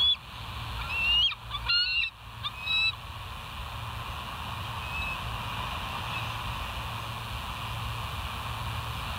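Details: Wild bald eagles at the West End nest, live cam, 08/06/2023 at 05:24: a quick cluster of high, thin, whistled notes with rising glides in the first three seconds, then a steady low hum and hiss.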